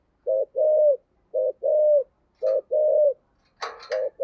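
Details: Spotted dove calling as a decoy in the 'thổ' voice: three clear two-part coos, a short note followed by a longer drawn-out coo, evenly spaced, then a brief rustling burst before more coos.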